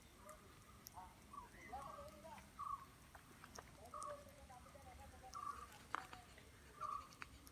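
A brown-headed barbet gives short, throaty mid-pitched notes repeated roughly every second and a half, over faint rustling and scattered clicks.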